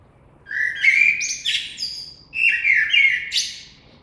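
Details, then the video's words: Two closely spaced blackbird phrases, each mellow and flute-like in the low register with wavering slides, trailing into brief high squeaky notes; no other sounds stand out. "Κότσυφας. Blackbird Song & Calls"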